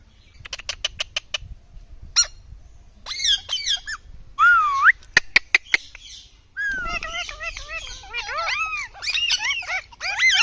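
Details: Rose-ringed parakeet, called Indian ringneck parrot, producing rapid clicks, looping rising-and-falling whistles and a long stretch of raspy, chattering squawks with wavy notes.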